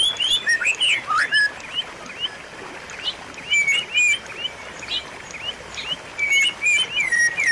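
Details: White-rumped shama song played as a training recording to coax a caged bird that has stopped singing back into song: clear whistled notes and quick slurred phrases in short bursts, some rising, some falling, over a steady rushing hiss.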